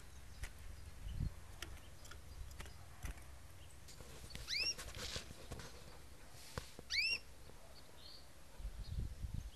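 A female Belgian canary gives two short, clear chirps several seconds apart, each sliding up then down. Soft clicks and low rumbling fill the background.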